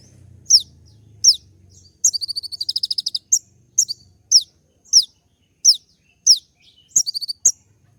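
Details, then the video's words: Sunbird called kolibri ninja singing a full, varied song played to provoke replies: repeated sharp high downward-slurred notes about every half second, broken by a fast pulsed trill. "putar sekali koninmu pasti nyaut masteran suara tembak yang buat konin emosi"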